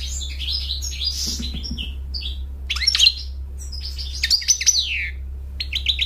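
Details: A European goldfinch singing, likely kept indoors, delivers rapid tinkling twitters, sharp upward-slurred notes and buzzy trills in bursts separated by short gaps, over a constant low hum.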